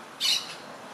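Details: An Orange-chinned Parakeet feeding on bright red fruits in Panama's Soberania National Park in late November gives a single harsh, high squawk of about a fifth of a second over faint background hiss.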